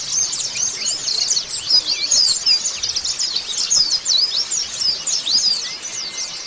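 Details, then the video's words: Post-moult white-eye song, a fast run of sharp, high twittering notes and quick zigzag trills, with a thin steady whistle near the end. "merangsang pleci bunyi setelah mabung"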